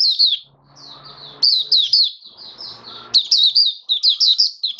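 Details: Caged oriental white-eye (mata puteh) singing in the hobby style called buka sing raja, recorded 21 October 2022: high, rapid, sweet twittering warbles in continuous bursts with short pauses, over faint low background hum.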